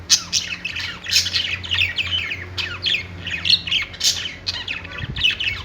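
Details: Budgies perched in a pet store chatter in harsh, scratchy squawks and rapid chirps, several birds calling over one another in dense bursts with a low hum behind.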